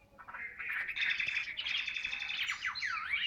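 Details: Chinese hwamei singing in the 'ngũ trường cao cầu' style. A dense, rolling warble of overlapping notes builds in loudness and ends with swooping whistled slurs that dip and rise.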